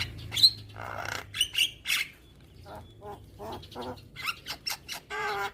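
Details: Song of a Javan myna, used as a morning training recording for young birds: bright whistled notes and scratchy bursts early on, then a run of short rasping, chattering notes.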